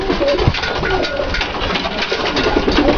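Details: Several Dalıcı (diving breed) pigeons in a loft, giving low soft cooing phrases amid constant broadband rustling, clattering and scratching from the flock.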